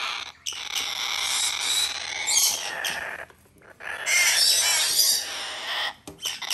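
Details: Captive-bred blue-eyed cockatoo chick making its long, drawn-out begging call: a harsh, breathy, continuous rasping cry held for seconds at a time, broken by short gaps for breath.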